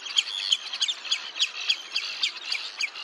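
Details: Red-necked Phalarope at Olafsvik, Iceland, on 15 June 2024, gives thin, high twittering chirps, about three per second in an uneven, steady series.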